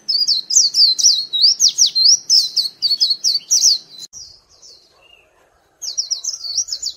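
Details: White-eye lure call, a bright, rhythmic series of sharp high chirps and sweeping slurs for four seconds, trailing into soft notes, silence, then another quick twittering burst.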